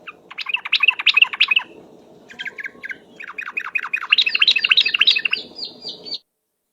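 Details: Yellow-vented bulbul chattering lure song, 'ropel' style: a dense burst of bubbly notes, a short pause with a few softer notes, then a longer, faster run ending in slurred whistles.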